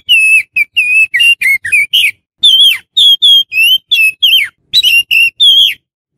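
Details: An Oriental magpie-robin, a song meant for luring magpie-robins in the wild, gives a rapid string of loud, clear whistled notes, some rising and some sliding down, in quick bursts with brief pauses; Oriental magpie-robin.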